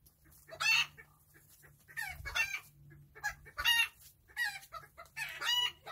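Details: Serama chickens enjoying their day, calling in scattered bursts of shrill, chattering clucks, several separate outbursts over a steady low hum.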